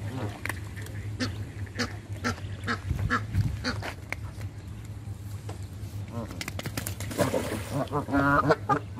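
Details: Canada geese being hand fed: many sharp clicks and pecking sounds, then a burst of short nasal calls near the end, over a low background drone.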